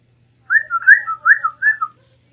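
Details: A Blue mockingbird (Melanotis caerulescens), endemic to Mexico, sings a short run of rich, slurred whistles, about six rising and falling phrases over a second and a half, with no other sounds.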